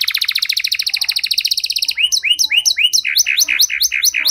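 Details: Canary song used to stimulate other canaries to sing: a fast, even buzzy trill of repeated notes, then a series of rising whistled slurs repeated about three per second.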